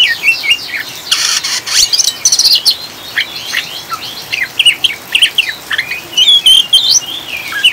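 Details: Oriental magpie-robin ngriwik song, played to calm and stabilise caged birds: a harsh rasping burst early, then a long busy run of sharp chirps and looping whistles over rain hiss.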